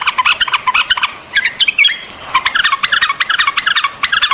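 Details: White-eared bulbul song: rapid strings of short chirping notes in bursts, a brief lull near the middle, then chattering resumes steadily.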